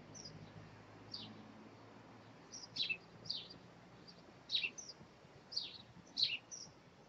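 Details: Five three-day-old robin chicks calling as the parents feed them, recorded 2/5/2020: a run of high, sharply falling squeaky chirps, some doubled, coming roughly every half second to a second and growing louder toward the end.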